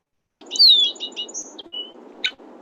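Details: A male Red-winged Blackbird at a meadow's edge by Big Bear Lake, California, in August, gives an alarm call: a thin, high, down-slurred whistle among quick sharp chips, over a low steady background rumble.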